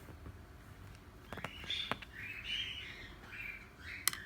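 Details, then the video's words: Cockatiel, known locally as Australian parakeet, whistling a series of high, slightly wavering tonal phrases after a few sharp clicks, with a short gap between phrases and one loud tap at the end. "Burung Parkit Australia / Cockatiel"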